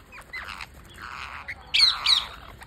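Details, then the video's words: Parakeet begging during feeding, with a series of raspy, buzzy squawks that grow louder, ending in two strong harsh cries, over a quiet background. "Parakeet Feeding"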